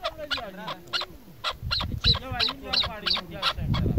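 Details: A female chukar partridge, apparently farm-kept, gives rapid, harsh, chuckling notes, about three per second, over a low background of voices.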